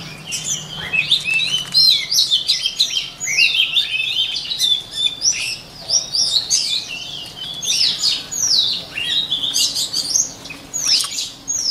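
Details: White-rumped shama singing for cage-bird voice training: sustained medley of high, swooping whistles, chirps and rapid trills in repeated bursts, with faint low hum underneath.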